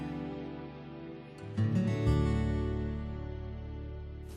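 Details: Soft, sad instrumental music with sustained low tones and a gentle swell, and no animal sound.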